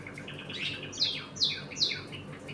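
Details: Budgerigars in a home colony, eating, playing and fighting: three quick downslurred chirps about half a second apart over a soft background warble.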